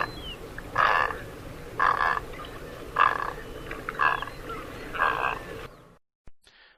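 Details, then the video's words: Great egret giving five harsh, hoarse croaks, roughly one each second, over a faint background hiss. "the sound you just heard was that of the great egret"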